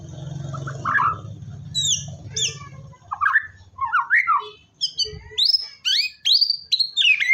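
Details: White-rumped shama in full song, played to coax a silent shama: a run of varied notes, slurred and rising, climbing from mid-pitched chirps to high, sharp whistles toward the end.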